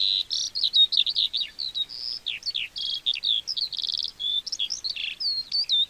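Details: Lark, a small brown mottled ground bird of fields and meadows, singing to mark territory and attract a mate: a fast, continuous warbling stream of varied chirps, trills and whistled slurs, high-pitched and unbroken for the whole stretch.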